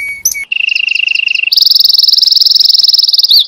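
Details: Canary song for training other canaries: a few whistled notes, then a steady rolling trill followed by a higher, faster continuous trill ending in a short sweep.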